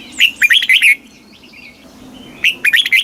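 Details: Red-whiskered bulbul in a cage in Thailand, southern master style song played to excite caged birds and teach chicks: two fast phrases of ringing, slurred whistles at start and end, with faint thin calls of other birds in between.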